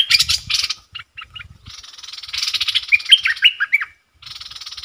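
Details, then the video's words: Bulbul acting as a decoy toward wild birds: rough rattling chatter runs in long bursts, interrupted by a short run of bright, looping whistled notes, then more chattering. "รวมคลิป นกต่อ ร้อง&ริก!!!ใส่นกป่า"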